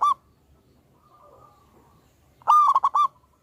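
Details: Local wild zebra dove with a loud voice, singing vigorously on a lure recording: the tail of one phrase, a faint drawn coo, then a loud stuttering burst of four or five clipped notes.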